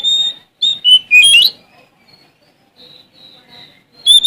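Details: Male Oriental magpie-robin from Sumatra singing to challenge rivals: short loud whistled phrases, a sliding note and a scratchy burst in the first second and a half, then faint quiet notes and a final loud whistle.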